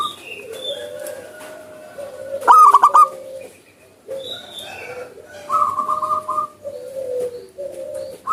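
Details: Wild zebra dove singing actively. Two rapid pulsed, vibrating coo phrases, one loud and one softer, stand out over steady lower hoots and higher whistled notes from other birds.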